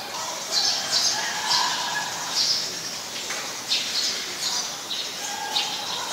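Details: Eurasian tree sparrow, a very common resident in Ubon Ratchathani, Thailand, recorded 10 May 2020: bright, short chirps in irregular bursts, several within two seconds, then spaced pauses, over a busy background of lower whistling birds.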